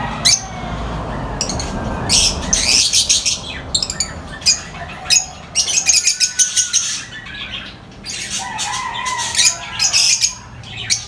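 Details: A noisy lovebird chorus of high-pitched chirps and squawks in repeated rapid bursts, with a few rising whistled notes between.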